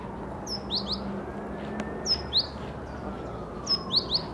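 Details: Eurasian sparrowhawk on the castle plateau in Ljubljana on 6 April 2023, giving thin, high slurred whistles, mostly in quick pairs, with a faint distant siren-like tone and city hum underneath.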